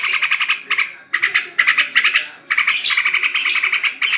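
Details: Yellow-vented bulbul (trucukan) at a home bird contest held during the corona period: fast bubbly chattering phrases of rapid repeated notes in bursts, with brief high sharp notes near the end.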